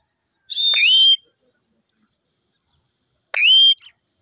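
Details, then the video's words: Indian ringneck parrot giving two harsh, rasping calls with a rising, whistled tone, each about half a second long and spaced nearly three seconds apart, with silence in between. "parrot ki natural sounds,parrot birds funny"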